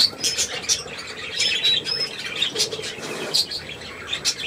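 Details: Group of caged budgerigars giving irregular high chirps and rasping squawks roughly every second, with faint wing flutters and a man speaking softly nearby.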